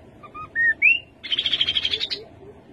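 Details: Rufous-capped babbler phrase: paired soft whistles, a flat whistled note and a rising one, followed by a long, evenly pulsed, buzzy trill at high pitch, with faint low murmuring behind.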